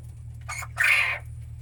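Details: Quail kept in cages: a brief raspy note, then a louder, longer, harsh grating squawk, heard over a steady low mechanical hum.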